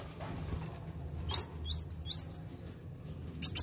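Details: A kolibri wulung (sunbird), used as a lure to provoke other birds, gives three very high, thin, slurred whistles in quick succession, then a burst of sharp high chips, over a faint low hum.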